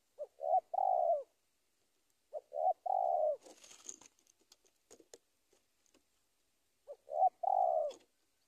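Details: Spotted dove calling a rival; three soft cooing phrases, each two short low coos followed by a longer drawn-out coo, separated by pauses of a few seconds, with faint clicks and rustling between.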